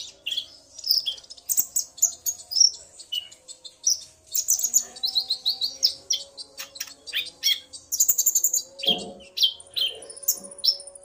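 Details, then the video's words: A male common iora answering a female's call in a back-and-forth exchange, delivering a lively stream of high, sharp chirps and short whistles in quick phrases, with a brief lower rasping note near the end. "Burung Konin Pancingan EMOSI agar burung bahan gacor"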